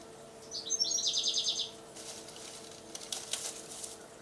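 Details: European goldfinch singing in a garden in the UK: a single bright burst of fast tinkling, twittering notes lasting just over a second, followed by quieter rustling and faint background noise.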